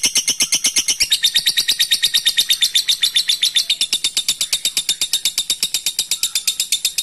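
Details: Long ngekek chatter from a lovebird calling out to a rival, a steady unbroken stream of fast, scratchy high-pitched notes running through the whole seven seconds.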